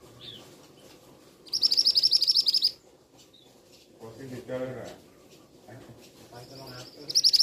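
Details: Male scarlet minivet calling twice with quick bursts of high, sharp repeated notes. Between the bursts comes a lower, rougher sound, and the second burst starts again at the end.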